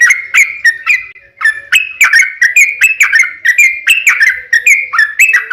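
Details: Yellow-vented bulbul singing a long lively lure song to prompt other bulbuls to call back; bright chirpy whistled notes in quick succession, slurred up and down, with one short gap early on.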